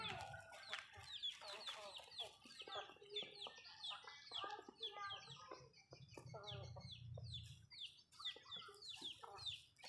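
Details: Home flock of Malay chickens eating food in a backyard: rapid strings of high downward chirps and scattered low clucks, fairly quiet and continuous.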